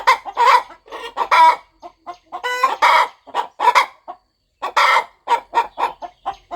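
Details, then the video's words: Mother hen keeping her eggs warm on a farm before they hatch: bursts of hoarse clucks and a buzzy, quavering call, a pause of about half a second, then steady clucking resumes. "Hen Clucking Sound Effect! Mother Hen Gets Ready to Hatch Her Eggs"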